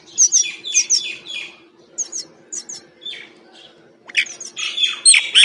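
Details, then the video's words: Wild common myna making varied sounds while feeding: bursts of harsh, squeaky chirps and chattering notes in short clusters, with a quiet pause midway and a denser, louder burst of scratchy calls near the end, over a low steady hum. "Wild feeding by Myna bird and making different sounds!"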